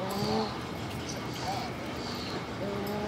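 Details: Hawaiian Goose, or Nēnē, from Hawaiʻi: a low harmonic moan near the start and another at the end, separated by a quieter soft note, all over steady rushing noise.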